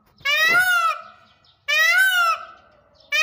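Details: Peacock giving two loud, nasal wailing calls about 1.4 seconds apart, each a rich harmonic cry that rises and then falls, with a brief word of speech nearby.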